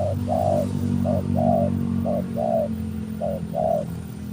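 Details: Lure call of a spotted dove: a steady run of paired notes, each a short coo followed by a longer mellow one, repeated four times in quick succession over a constant low hum.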